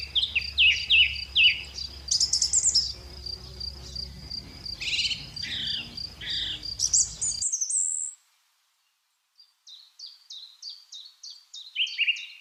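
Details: Lovebirds giving rapid, high, scratchy chirps in dense bursts, then a brief silence before a quieter run of short repeated chirps. A steady high whine and a low hum sit under the first part.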